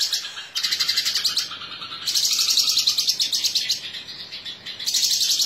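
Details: Cucak kinoi, a caged songbird, in a fast chattering song: dense bursts of high buzzy trills repeated several times a second, broken by short pauses, with a man talking quietly nearby.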